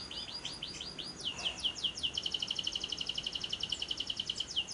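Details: Lovebird lure recording for day and night: a few sharp chirps lead into a sustained, evenly pulsed high trill of rapid rattling notes lasting about three seconds.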